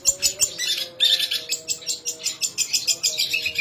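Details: Long-tailed shrike singing, mimicking sparrow and kingfisher calls: dense rapid bursts of high chattering chirps, pulsing several times a second, over a faint steady tone.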